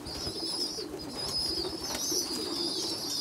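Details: Young pigeons, one small and poorly developed feeding bigger, well-developed youngsters; continuous thin, high whistled peeping with wavering squeals, over soft low cooing murmurs.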